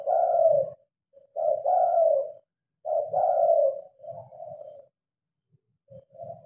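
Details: Night-time calling of a spotted dove while lights are on: three full mellow coo phrases followed by quieter, trailing notes, with faint low thumps beneath; phone recording.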